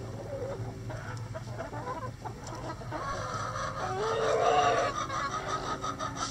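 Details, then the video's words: Rooster in a chicken coop on a sunny day, with quieter clucks and scratching at first, then a loud hoarse crow swelling and holding for about a second before fading. "Rooster Crowing"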